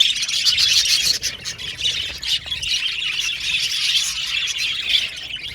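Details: Budgerigars in an aviary colony give a dense, continuous high chatter of warbled chirps and squawks, with brief sharp notes standing out near the start and around the fourth and fifth seconds.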